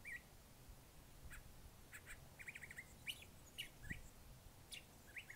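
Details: Curve-billed thrasher in varied song: scattered short warbled phrases, some sharp upslurred notes and trilled bits, delivered in uneven bursts over a faint low hum.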